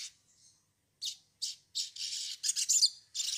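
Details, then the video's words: Sogon song for prompting birds to sing: harsh, buzzy high bursts repeated in quick succession, growing denser into a scratchy, rattling series. "pancingan sogon bahan agar bunyi"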